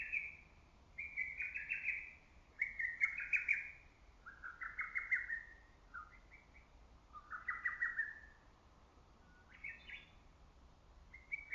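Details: Lesser cuckoo calling on and on in early summer woodland: a string of rapid, staccato phrases tumbling one after another, some overlapping, with brief gaps between bursts.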